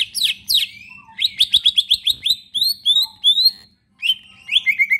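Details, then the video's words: Cage-kept leafbird singing a rich, fill-heavy song as a lure for reluctant birds: loud swept notes followed by a quick row of crisp chirps, rising whistles and a final run of falling trills. "cicak ijo gacorr full isian"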